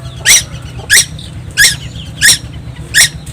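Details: Noisy young tuwu on Timor Island, Indonesia: five harsh, scratchy squeaks at a regular pace, each with a brief rising edge, over a low background hum.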